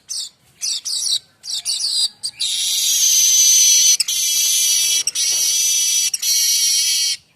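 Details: Streaked weaver song, kept as a tutor for other songbirds such as the white-rumped shama: a few short, dry, high chirps, then a long, loud, buzzy sizzling trill broken by brief pauses.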